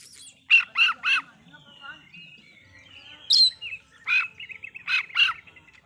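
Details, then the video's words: Oriental magpie-robin singing to provoke other birds: groups of three quick buzzy chirps, a thin sliding whistle, then further clipped chirps and rapid chattering notes. "Kacer Dengar ini di jamin emosi"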